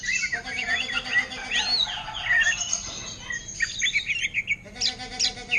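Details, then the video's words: Greater green leafbird in ngentrok style, imitating orange-headed thrush song: quick whistled slurs and chirps run together, while a low, pulsed, buzzy rattle repeats underneath at times. "Cucak Ijo Ngentrok Gaya Anis Merah"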